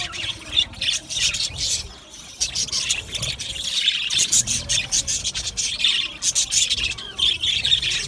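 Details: Budgerigars in an aviary colony chattering together, a dense mix of high, rapid chirps and warbles overlapping continuously with short gaps near the two-second mark.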